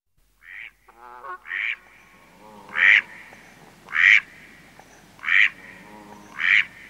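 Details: Male Mallard giving flight calls close up: loud nasal quacks repeated about every 1.2 seconds, with lower harmonic honks from other waterfowl in the first seconds and a faint background hum.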